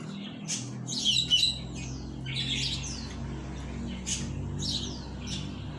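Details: A double-collared seedeater (coleiro, "tui tui mosquito" song) just coming out of moult sings a quick series of high, sharp chirps and down-slurred whistled notes, several each second, over a steady low indoor hum.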